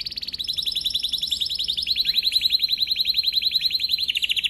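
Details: Canary singing in a training recording: a long, fast, rolling trill of evenly repeated high pulses running throughout, slightly dipping in pitch midway and steadily growing louder, over a faint low hum.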